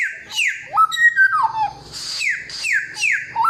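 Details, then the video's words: Samyong delivering varied whistled song indoors: falling slurred notes mixed with rippling descending phrases, then a string of evenly repeated downward whistles, loud and clear. "Inilah real samyong 1001 suara... Suara kencang, jernih, materi 1 hutan"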